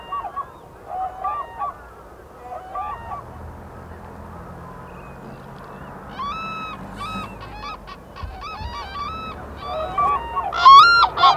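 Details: Highly endangered Black-necked cranes foraging in Phobjikha Valley, Bhutan, on their wintering grounds: repeated trumpeting calls, rich and harmonic, coming faint at first, then growing louder and more frequent toward the end.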